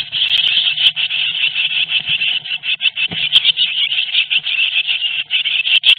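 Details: Eurasian blue tit chicks in a nest at Théding on 22 May 2021, as both parents bring food: a dense, continuous high-pitched chorus of hissing and chittering, with a few soft knocks and thumps.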